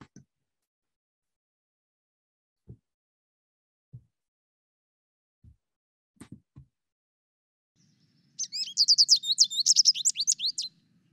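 An American Goldfinch sings a quick, rambling burst of high, sweet twitters and warbles lasting a few seconds, preceded by scattered low knocks and backed by a faint hum.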